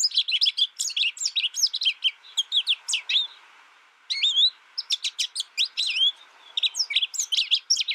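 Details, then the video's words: Young American goldfinch, isolated from other birds and learning from a recording, sings rapid high chirps, falls silent about a second, then resumes with sweeping slurred whistles and twittering bursts. "My American Goldfinch sings a tutor calling birds, goldfinch excitation to sing,goldfinch chirping"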